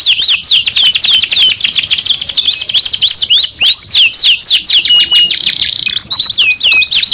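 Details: {'text': 'Canary singing close up: dense rapid trains of downward-sweeping high chirps, a short slower looping passage, then a buzzy fast trill at the end.'}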